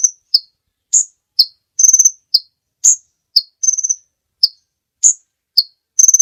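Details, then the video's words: Sunbird known locally as kolibri ninja, used as a master track for other birds: alternating thin high chips and quick buzzy trills, the notes rising and falling in pitch, repeated with short gaps. "Suara Burung Kolibri Ninja Pikat gacor Durasi Panjang mantab buat masteran"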